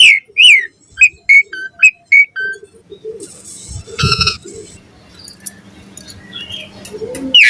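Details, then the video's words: Asian pied starling in morning song, used to lure other starlings to sing. A quick string of whistled notes opens, followed by a noisy, crackling burst and scattered fainter sounds. "Suara Jalak Suren Gacor Ampuh & Efektif Pagi Hari Buat Pancingan Burung Jalak Agar Gacor Full Isian"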